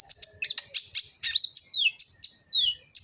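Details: Sunbird (kolibri ninja) from Gresik, East Java, phone-recorded as a master song to get birds singing: a rapid, continuous string of high chirps with several sweeping downslurred whistles woven in.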